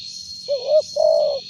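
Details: Spotted dove with a big voice, used as a decoy, giving one low cooing phrase: a short wavering note, then a longer sustained coo, against a steady thin high-pitched background tone.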